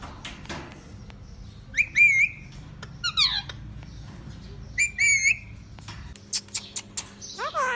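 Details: Lutino yellow Indian ringneck parakeet, a pet bird, giving loud wavering squawks and whistled rising calls in short bursts about every three seconds, with fainter squeaks between them indoors.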